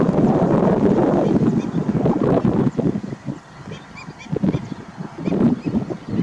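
Greater flamingos give a busy chorus of deep, goose-like honks and gabbling grunts, several birds calling over each other at a rapid pace.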